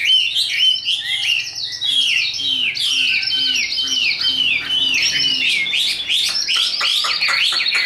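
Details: Tame caged Chinese hwamei with a high song, sold for contests: a loud sequence of downslurred whistles repeated in a steady pattern, with sharper clipped notes toward the end.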